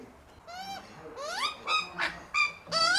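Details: A hungry Australian magpie family feeding on unsalted peanuts at a home in Melbourne gives nasal, reedy squawks, several rising sharply in pitch, about six in three seconds, some overlapping as more than one bird calls.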